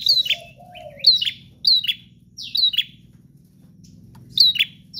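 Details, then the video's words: ['Bar-winged prinia singing intermittently: single loud, high notes with falling tails about once per second, a soft mid-pitched rising warble near the start, and a continuous low hum in the background.'] "Prenjak GACOR Ngotot Full Durasi Tanpa Jeda"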